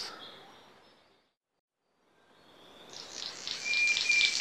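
King of Saxony bird-of-paradise giving a high, hissing, static-like buzz that swells in loudness after a short pause, with a thin whistled tone inside.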